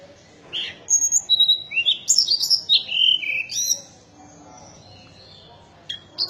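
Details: Mountain tailorbird singing a rapid run of very high, thin whistled notes, stepping up and down in pitch for about three seconds, then pausing, with one short high note at the end.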